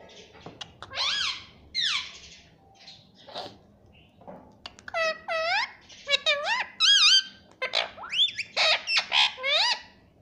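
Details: Talking pet rose-ringed parakeet repeating learned words like "mummy": a long run of ringing, arched and hooked syllables, fast and clustered in the second half, mixed with clicks in a small room.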